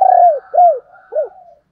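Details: Female spotted dove with a thổ đồng voice, a call played to lure wild males: three loud, low coos, each gliding downward and drooping at the end, the last shorter and set apart after a pause, with soft faint tones between.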